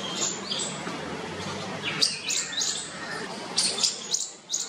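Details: Nestling bulbuls clamouring for a parent in a nest built in a parking shed, begging to be fed; sharp high chirps in quick clusters, some falling in pitch, with steady background noise.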